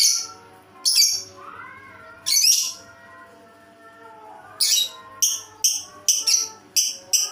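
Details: Lovebird making an odd call: a few isolated piercing squeaks, then a quick burst of six sharp, high chirps near the end. Low wavering tones sound faintly beneath.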